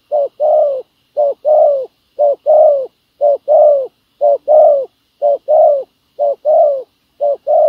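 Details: Spotted dove used as a ground decoy to lure a wild field dove, giving steady paired coos, a brief low note followed by a longer mellow one, about once per second in an even, regular rhythm.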